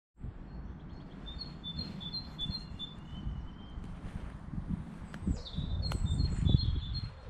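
Thin, high whistled notes in quick repeated phrases, with a brief lower trill and a falling slurred note, over a steady low rumble of wind.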